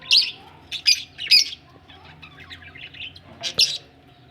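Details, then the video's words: Budgerigars said to be ready for laying eggs: three sharp, high chirps in quick succession, a soft murmur of twittering, then two more bright chirps near the end over a low steady hum. "budgies ready for laying egg"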